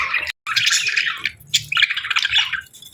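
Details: Budgie chirping in scratchy warbled bursts with a few clear higher squeaks, cut by a brief moment of total silence near the start.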